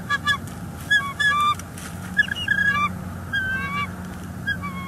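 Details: Bald eagles at a Northeast Florida nest, December 2021, during nest building with an egg in the nest; scattered short, high, squeaky piping notes in loose bursts over a steady low hum.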